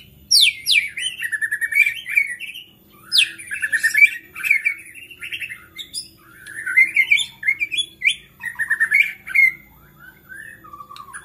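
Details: Fired-up white-rumped shama whose singing is said to trigger other shamas: dense, continuous medley of whistles, rasping chatter and steep high sweeps with barely any pause.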